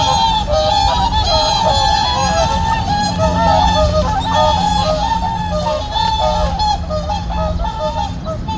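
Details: Wintering whooper swans squabbling on a reservoir at morning, five or six newly returned birds head-nodding and calling; rapid, irregular trumpeting honks tumble over one another, fading slightly toward the end.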